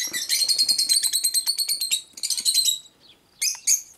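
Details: Cockatiels in rapid, continuous chatter: dense runs of bright harmonic chirps for two seconds, a second shorter burst, a brief silence, then two sharp squawky notes at the end.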